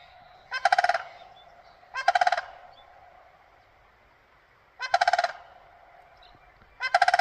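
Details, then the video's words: Crane calling in four loud, rolling bursts, each a rapid train of harsh pulsed notes lasting about half a second, spaced one to three seconds apart over a quiet background. "Hello Mr crane,, why are you making noise??"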